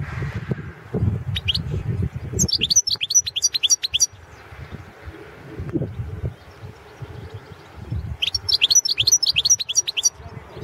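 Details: Competition entry of a Balkan European goldfinch, Carduelis carduelis balcanica, 2016 world goldfinch song championship: two long runs of rapid, liquid twittering notes, bright and jangling, separated by a pause with low rumbling background noise.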